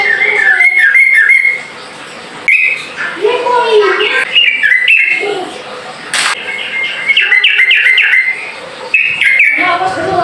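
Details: Sooty-headed bulbul singing to call rivals to respond: bursts of bright, bubbly chirping notes repeated quickly in short phrases, with brief pauses, a low voice-like sound in between and one sharp click.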